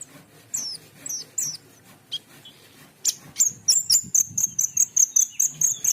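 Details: Asian pied starling in full song opens with a few slurred descending whistles, then a fast series of thin high clipped notes repeated about twice a second, ending in a steady high piping run.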